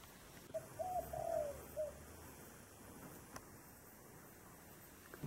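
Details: Dove cooing in the 'thổ đồng' voice style: a single low, hollow phrase of several short coos, with a longer middle note, over a quiet background with faint hiss.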